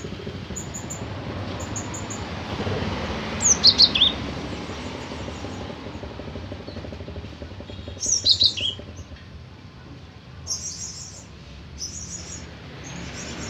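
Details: Cinereous tit, locally called birong, singing; two short bursts of high, sharp chirped notes falling in pitch, the second about four seconds after the first, over a steady low rumble of passing traffic.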